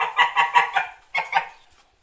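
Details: White domestic geese honk in a quick nasal run of five notes, pause briefly, then give two more loud honks.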